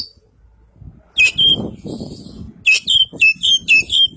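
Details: White-breasted Kacer Poci Oriental magpie-robin from East Java giving full isian song: bright, downslurred whistles repeated about four times per second after an opening burst, with low background rumble.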